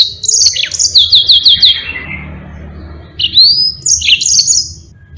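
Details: Yellow-fronted canary tutor song for training other birds: a rapid series of high descending whistled notes, a buzzy slide, then bright upslurred whistles and twitters, with low background hum.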